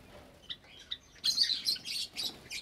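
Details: Java sparrows in a cage aviary with newly hatched chicks, Sunday morning, 8 May 2022. Two faint chips, then a loud, dense burst of high, overlapping chirping chatter.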